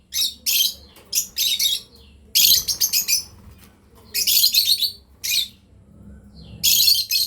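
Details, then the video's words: Lovebirds, a breeding pair, chirping: loud, harsh, high chattering bursts in rapid runs, some long and dense, separated by brief pauses, with a faint steady hum underneath. "Lovebirds chirping sound"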